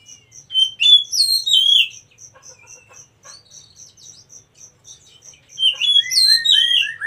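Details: Wild oriental magpie-robin, recorded as a master song for caged birds: two bursts of fast descending whistled slurs separated by quiet, over a steady metronome-like high ticking repeated about three times a second.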